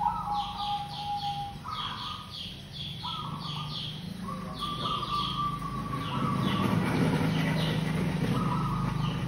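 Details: Local zebra dove (perkutut) song used as a lure: a run of trilled coo phrases, some short and some drawn out, under many quick falling chirps from other birds and loud low rumbling noise.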